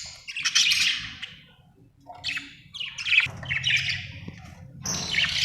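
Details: Budgies chirping, described as Australian birds: bursts of bright, scratchy, warbling chatter, several overlapping, with short quiet gaps and a low background hum.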